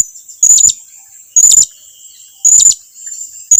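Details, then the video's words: Blue-crowned hanging parrot calling so its companions come nearer: three piercing, very high squeaky notes, roughly one per second, each brief and clipped. "suara serindit lagi memanggil kawannya agar datang mendekat"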